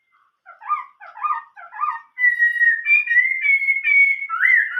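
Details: Chinese hwamei singing in a style likened to old-forest birds: a few repeated slurred two-note phrases, then a run of loud, clear, varied whistles with sliding pitch.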